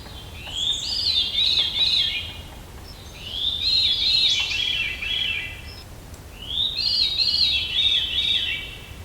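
Veery singing three breezy, layered phrases that spiral downward, each about a second and a half long, spaced every three seconds over faint background hiss.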